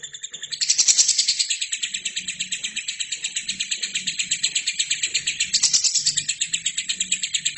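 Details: Lovebird singing in a training recording for other birds: an unbroken, rapid trill of harsh, buzzy notes, louder near the start and again toward the end, over faint low hum.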